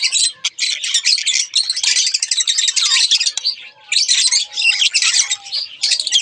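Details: Busy twittering from a budgerigar pair: rasping, rapid warble phrases run together, with a few thin whistled notes and a short lull near the fourth second.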